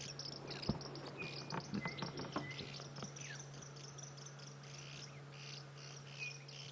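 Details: White-crested helmetshrikes in a feeding flock at sunrise, Sabi Sand, 2 July 2016, keep up a busy, swizzling chatter of quick harsh notes and brief whistles, probably contact rather than alarm calls while feeding, over a steady low engine hum.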